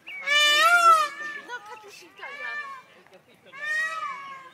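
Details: Male Indian peafowl giving three loud, nasal, wailing calls, each about a second long and rich in harmonics; the first is the longest and strongest, the later two weaker, with short pauses between.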